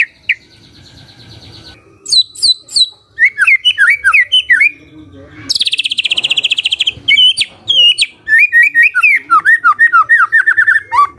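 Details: A magpie-robin in full morning song, intended to get a quiet bird singing back. It gives varied chirps and whistled phrases, a fast buzzy rattle, then tumbling warbled notes in quick succession.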